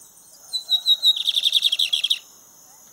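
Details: Lined seedeater in full song on an outing: several sharp, high whistled notes, then a fast, dry, buzzy trill of roughly a dozen repeated notes. A click is heard at the end, with a faint high hum behind.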